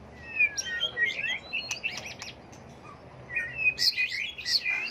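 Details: White-rumped shama singing a varied song of many voices, switching phrases constantly, used to provoke birds into song contests; high thin whistles and slurred notes come in two bursts separated by a quieter gap.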